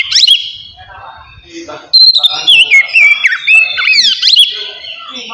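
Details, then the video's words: Oriental magpie-robin, a kept songbird, in relaxed full open song used to stir singing and breeding drive: loud varied whistled phrases around mid-high pitch with sliding, looping notes after a quieter opening, overlapping bird sounds. "TERAPI AWAL KACER NGEPLONG SANTAI COCOK BUAT MANCING EMOSI DAN BIRAHI AGAR KACER CEPAT GACOR"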